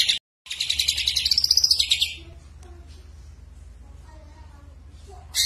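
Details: Greater green leafbird in energetic song with mimicked fills: a loud, rapid, high chattering run of pulsed notes for about two seconds, followed by quiet background with faint low voices.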